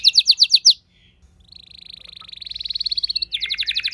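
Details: Home-kept canary responding to another singer: a quick run of sharp notes, a short pause, then a long soft trill swelling in loudness into a rattling burst.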